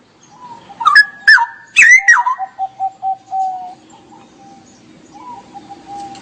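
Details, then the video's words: Cucak rowo, the straw-headed bulbul, in full gacor song: three loud sweeping whistled notes, then a run of short evenly spaced low pips. A soft, steady, hum-like tone continues afterwards. "Kicau Burung Cucak Rowo Gacor"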